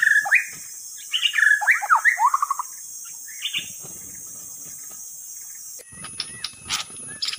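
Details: White-rumped shama song played as a lure: loud whistled and slurred phrases in quick bursts over the first three seconds, then a faint phrase, and after a pause sharp clicks and ticks over a changed background hiss.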